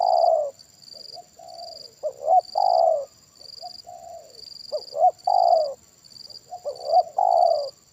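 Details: Spotted dove during a trapping session with a decoy bird, giving loud deep coos: short hooked notes followed by a long falling coo, phrases repeated every couple of seconds, with a steady high electronic whine throughout.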